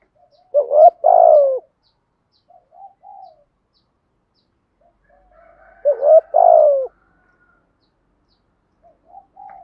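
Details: Spotted dove decoy performing 'gù thúc' coos in the 'giọng thổ' style. Two deep phrases roughly five seconds apart, a quick double note running into a longer descending coo, with faint quiet notes between.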